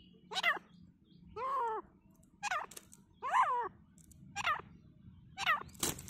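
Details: Fighting grey francolin in forest: a steady series of six harsh, nasal, arched notes, about one per second. Bent downslurs alternate with wavering ones over a constant low rumble of background noise.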